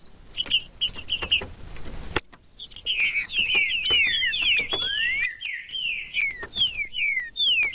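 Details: Green-winged saltator song meant to heat up cold birds for contests: a few clipped notes and a knock, then a fast string of loud downslurred whistles and one rising note, tumbling over each other.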